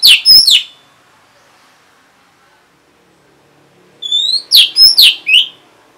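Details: Orange-headed thrush reacting to a lure sound: a short group of clear slurred notes, a long pause of about three seconds, then a rising whistle followed by four quick ringing phrases.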